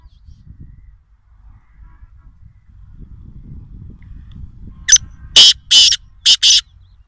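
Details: Harsh, scratchy call of a black francolin from Nawabshah: a quick phrase of five or six rasping, broadband notes, two drawn-out ones in the middle, over a faint low hum.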